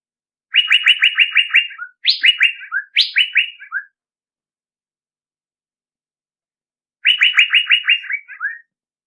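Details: Lure call of a male Asian fairy-bluebird: rapid rattled strings of pulsed notes, some opened by a sharp rising note, given in a quick cluster, then a pause and one more rattled series.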